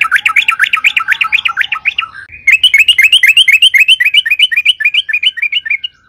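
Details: Yellow-vented bulbul in loud, long continuous song, used as a lure to make other bulbuls sing; rapid looping chirped notes about four per second in two bouts, split by a short break near the middle.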